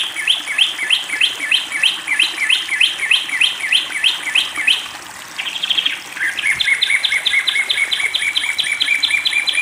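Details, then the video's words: Long-tailed shrike singing during water therapy: quick series of short chirped notes repeated about three times a second, a brief pause, then the series resumes at a slightly lower pitch, over steady background noise and a constant thin high whine. "pentet Matahari gacor"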